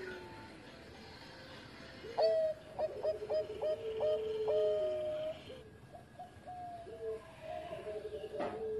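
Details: Bangkok-type zebra dove singing for use as a master recording to train other doves: a series of short clipped cooing notes, about six quickly repeated, then a longer held coo, with other doves cooing faintly behind.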